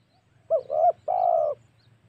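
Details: A spotted dove gives a short burst of two quick coos and then one long, steady, hollow coo. The recording is a lure meant to provoke wild doves for hunting.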